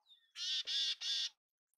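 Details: After a faint thin high note, a mountain chickadee gives three loud, even, rasping buzzy notes in a row.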